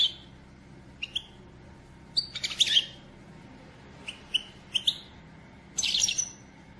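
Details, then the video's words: European goldfinch female, kept as a pet, calling to stimulate the male to sing and become excited: short high tinkling chirps and clipped twitters in scattered bursts, with a faint low hum underneath. "بتبتة أنثي حسون لتحفيز الدكر علي التغريد والهيجان"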